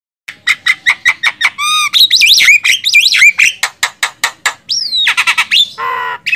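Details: Javan myna, recorded as a master song for training songbirds: rapid rows of sharp clicky notes, a rich warbled whistle that rises and falls, then harsh buzzy bursts and a sliding whistle, close and loud.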